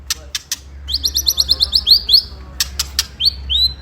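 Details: Ketrekan song of a white-rumped shama, used to provoke rival birds: opening clicks, then about eight rapid high repeated notes in an even trill, more clicks and two upswept whistles.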